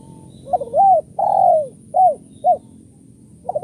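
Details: Spotted dove calling in the kuk 1-2 style used to lure doves: a run of mellow, mid-pitched coos, short notes and a longer falling coo, with irregular gaps, over quiet background.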